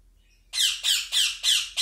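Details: Hand-fed cockatiel chicks give harsh, raspy begging squawks during hand-feeding, five rapid bursts about three per second, in an otherwise quiet room.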